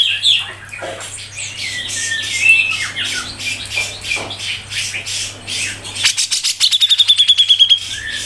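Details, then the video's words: Grey-cheeked bulbul (cucak jenggot) giving a dense run of high, scratchy chatter, then a fast, even series of sharp, ticking notes near the end; a steady low hum underneath. "CUCAK JENGGOT MBESET NGEPIK RAPET | masteran cucak jenggot"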